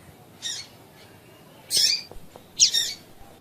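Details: Female Double-collared seedeater call aimed at getting males to sing: three loud, harsh, buzzy chirps roughly one second apart, high-pitched and slightly descending.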